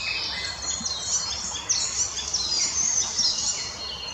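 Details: Icterine warbler recorded 12 May 2020 in the Krasnoglinsky area, giving a dense, high-pitched song of rapid chattering notes, short whistles and sharp sweeps, with a faint insect-like hiss beneath.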